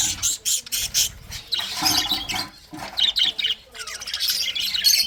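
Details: English budgerigars chatter in a busy, scratchy warble of fast high chirps and squawks, several birds overlapping almost without pause.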